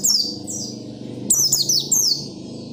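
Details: Oriental white-eye in lively, persistent song meant to set other white-eyes singing: a run of sharp, high whistled notes sliding steeply downward, clustered in quick bursts over a steady low hum.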